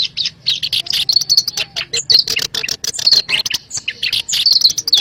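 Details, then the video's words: Black-browed reed warbler recording used as a lure sound for bird trapping: dense, scratchy chattering of rapid high notes, with some sharp whistled accents mixed in, running almost continuously with brief gaps. "SUARA PANCINGAN PIKAT BURUNG KERAK BASI ALIS HITAM"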